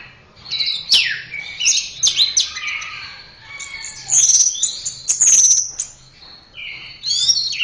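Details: Orange-headed thrush singing, recorded as a master track for training other birds: rich varied phrases mixing high sharp notes, sliding whistles and brief clicks, in bursts separated by short gaps, faint low hum behind.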